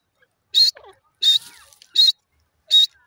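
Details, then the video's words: Wild grey francolin giving loud, harsh, high-pitched notes, four in just over two seconds at a steady rhythm, with softer twittering sounds between the first notes. "jungli teeter awaz gray francolin in ajungli"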